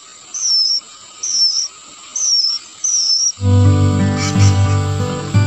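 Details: A young, maturing sooty-headed bulbul being fed by its parent gives four thin, high, squeaky begging notes, about one each second, before loud music cuts in.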